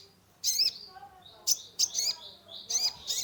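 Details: Caged sunbird (kolibri ninja) song used to lure a stressed bird: loud, harsh high chirping bursts, each about a quarter second, repeated irregularly.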